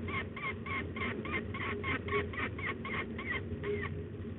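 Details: Young peregrine falcon giving a chattering run of harsh, nasal notes, about three or four a second, steady in pitch, over a low rumble; De Mortel, Netherlands, 8 May 2021, 14:25.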